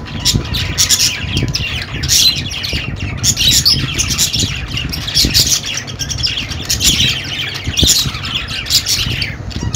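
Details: Lively budgerigar twittering: overlapping chirps, chattering warbles and harsh squawks in quick succession, with a brief steady hum at the start and low background rumble.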